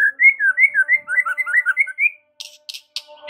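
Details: White-rumped shama song for provoking response: a fluid run of about a dozen rolling whistled notes over two seconds, followed by several brief high rasping bursts.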